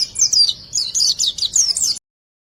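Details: White-eye singing in a training recording for silent birds: a brisk string of high, slurred twittering notes and chirps lasting about two seconds, then silence.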